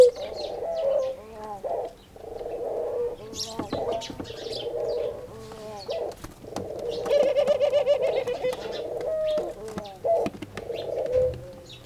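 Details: Khumra, or singing dove, said to call "Haq Allah Hoo" every day at prayer time; soft, low, rolling coos in repeated phrases separated by short pauses, with small birds chirping high above and scattered clicks.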